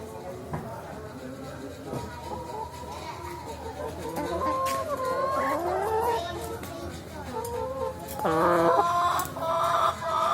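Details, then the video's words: Chickens carried in a car, ready to be slaughtered; harsh squawking cries with wavering, rising and falling pitch in the middle and again near the end, over vehicle rumble and people talking. "Ayam Naik Mobil Siap disembelih (Suara ayam)"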